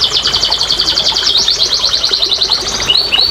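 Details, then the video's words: Canary used as a singing lure for silent canaries: a rapid, even chattering trill of high notes, closing with a few short rising whistles. "TERAPI & PANCINGAN BURUNG KENARI MALAS BUNYI"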